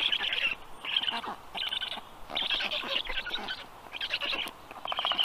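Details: Young black storks being fed breakfast while in human care in Tartu, Estonia. Loud, rasping, high-pitched calls come in rapid choppy bursts about every second, and the chicks' voices dominate against faint forest ambience.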